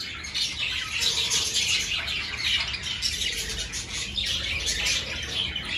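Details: Caged budgerigars in a breeding aviary fitted with clay pots, early in the season; constant high-pitched twittering from many birds at once, with faint fluttering wings beneath the chatter.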